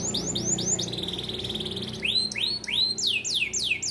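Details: Tutor song from a small standard AF canary in bon colour for training young birds: a few swooping notes, a long even buzzy trill, then a run of loud curved whistles falling in pitch, repeated quickly.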